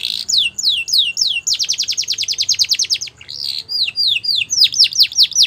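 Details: Border canary song for teaching young canaries: quick descending sweeps, a fast even trill, a brief pause, then more looping high notes repeated at a lively pace.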